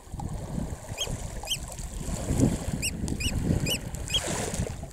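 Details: Eurasian oystercatcher chicks, filmed close up at Snettisham, Norfolk, UK, on 19 July 2016 at 6:38 pm, give thin, high, slightly arched peeps, about six in five seconds at an uneven pace, over a steady low rumble of wind.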